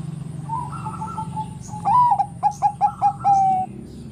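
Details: Zebra dove of the Bangkok type, singing to stir rival doves: a soft whistle rising into a run of five quick clipped coos and a drawn-out steady closing note. A fainter dove coos beforehand.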